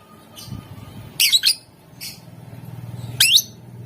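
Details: Caged lovebird chattering, used to prompt other lovebirds to sing: short harsh squawky chirps in bursts, a paired burst near mid-clip and another near the end, with a low hum underneath.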